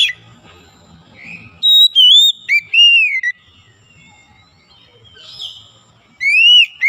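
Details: Captive white-rumped shama, being restored from sluggish singing to steady full song, gives loud clear whistled phrases: rising and falling slurred notes in short bursts with pauses, final phrase after a long gap; faint low rumbling in background.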